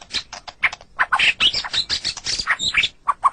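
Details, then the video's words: White-rumped shama song used to train captive songbirds, a dense tangle of harsh chattering and squeaky notes with a few clear whistled notes at the end. "Ocehan Burung Murai Batu"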